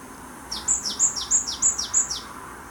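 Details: Japanese tit from Gwangju, South Korea, singing its familiar song, five rapid repeats of a high whistled note falling into a lower one, evenly spaced over about a second and a half, with soft background noise.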